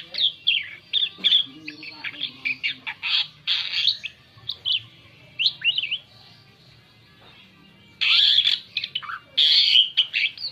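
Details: Asian pied starling singing a lure song meant to draw other birds: a jumble of short whistled notes and chatter, broken by loud harsh rasping bursts near four and eight to ten seconds, with a quiet pause in between.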